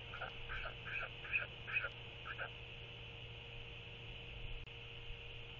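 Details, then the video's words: Royal albatross chick TF, alone in post-guard stage, gives a slightly muffled trilling sky call as the neighbouring mother BOK returns (29 Feb 2024): about six short, hoarse, braying notes in quick succession over two seconds, then a steady background hum. "Royal Albatross ~ BOK Returns & Visits w/ TF Before She Leaves! TF Skycalls"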